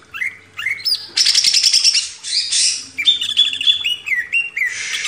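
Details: Greater green leafbird master song for training cage birds: loud varied phrases of clear whistles, slurred notes and dense rapid buzzy chatter, mixing high sweeping tones with rattling bursts, heard indoors.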